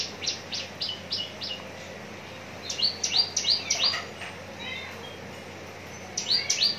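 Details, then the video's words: Javan bush lark, a caged bird at Citra Raya, Cikupa, Tangerang, prepared for competition, delivering bursts of high, fast, descending chirps about three per second, pausing, then resuming with a short run of bright notes. "branjangan parva joss siap gantang"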